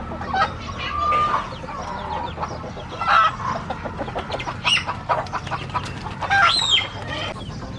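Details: Chickens calling loudly: bursts of cackling and drawn-out squawks, one ending in a rising then falling cry, amid constant clucking from the flock.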